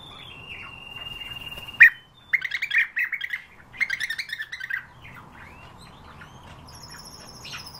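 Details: European bee-eater: a sharp note, then bursts of purring, rolling calls, with thin high whistles before and after.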